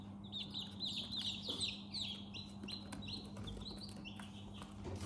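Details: Baby chicks inside a chick house, softly chirping: many short, high peeping notes, some sliding downward, overlapping irregularly at a few per second, over a steady low electrical hum.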